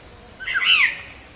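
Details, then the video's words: Black-naped oriole (kepodang), a lure recording from Indonesia for provoking caged birds into singing; one short fluty slurred whistle, rising then falling, over a steady high insect drone. "PANCINGAN SUARA BURUNG KEPODANG"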